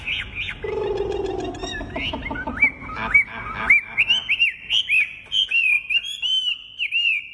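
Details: Wambi bird singing actively: a low droning tone in the first seconds, then a run of loud clear whistled notes, each rising then dropping, repeated quickly and unevenly.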